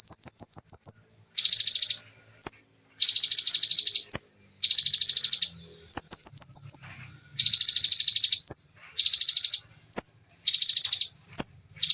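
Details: Bar-winged prinia (ciblek), original recording of its fast, dense 'nembak' style singing: rapid buzzy pulsed bursts about a second long alternate with sharp upslurred notes and a quick run of high chips, with faint low hum in the background.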